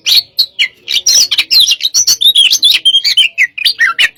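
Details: Oriental magpie-robin of the "hot type" in a stimulating session, pouring out a fast, crowded medley of high chirps, trills and bent whistles with almost no pauses between notes.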